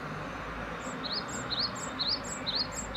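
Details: Great tit giving a fast run of bright two-note phrases, a thin high note followed by a lower rising-falling whistle, repeated about three times a second over a steady low rumble of background noise.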